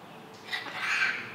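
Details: A parrot at the Shuka Vana aviary in Mysore, India, repeating chanted holy words after a person: a brief, harsh, raspy utterance lasting under a second, imitating a spoken word. No other clear sounds.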